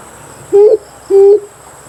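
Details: Amethyst brown fruit dove giving two low, level hoots about half a second apart, each held steady and deep, with a quiet background.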